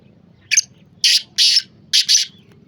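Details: A black francolin calls in a harsh, grating phrase: one short rasp, two drawn-out buzzy bursts, then a fast double note to close, loud and clear over faint low background noise.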